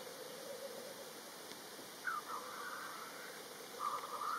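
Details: Black grouse lekking in Kurzeme, Latvia: a low, steady bubbling coo runs underneath, with brief higher hissing, whooshing notes breaking in twice over a faint background hiss.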